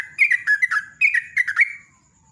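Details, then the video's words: Sooty-headed bulbul in vigorous ropel song, used as a lure: two fast, bubbly phrases of rich, downslurred whistles in close succession, fading at the end. "JOGJOG /TRUCUK ROPEL NEMBAK GARUDA"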